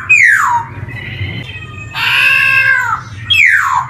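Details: A black-throated laughingthrush lure song for young birds: falling whistled slur, a thin steady note, a long nasal harmonic wail, then another descending whistle.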